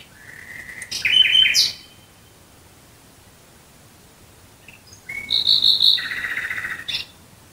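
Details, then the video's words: Nightingale singing at night near Dresden: a buzzy, rattling phrase with a bright whistle on top, a pause of about three seconds, then a second phrase that starts with a high note and ends in a rasping trill. "Nachtigall Gesang Geräusch. Singing Nightingale Sound."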